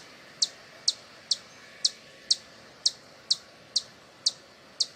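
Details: Sharp high hummingbird chips, ten in five seconds at an even pace, meant to attract hummingbirds; faint hiss behind.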